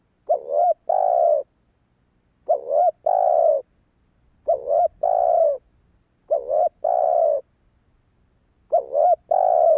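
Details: Spotted dove call used to excite a decoy bird: low mellow coos in paired phrases, a short wavering note then a longer level one, repeated five times about every two seconds in a quiet setting.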